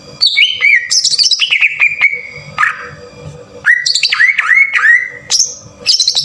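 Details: Harsh-burst green leafbird lure song: clear downward-slurred whistles ending in held notes, then curved looping whistles and high bright phrases in three bouts, with a faint hum behind.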